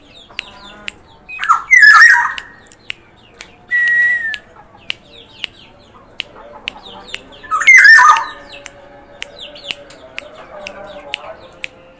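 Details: Black-naped oriole of the Sumbawa type, described as singing actively, gives two loud harsh squawking bursts with wavering tones, about six seconds apart, with sharp clicks and quiet gaps between them.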